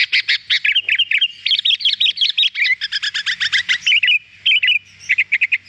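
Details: Kutilang, the sooty-headed bulbul, in a recording meant to get birds singing: fast bursts of sharp chirping notes, then looping whistled phrases, near-continuous chatter with tiny gaps and a faint low hum underneath.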